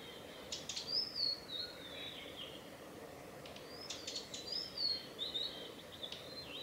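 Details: Male blue-and-white flycatcher giving call notes along the Mizusawa forest road in Tanzawa, Japan, on 8 June 2020: sharp, high whistled notes slurring downward, mixed with short clicking ticks, in two bursts over a faint steady background hiss.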